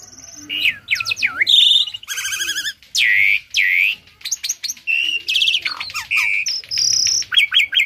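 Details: Tame Asian pied starling serving as a tutor singer for other birds: a dense, varied stream of looping whistles, harsh buzzy bands and rapid warbled phrases with almost no pauses.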